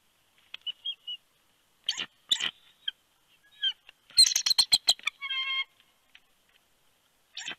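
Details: Male bald eagle calling his mate to the nest during a night-time incubation shift change in Big Bear, California, January 2020. Scattered thin piping notes build into a loud, rapid chattering burst, then fade to isolated calls.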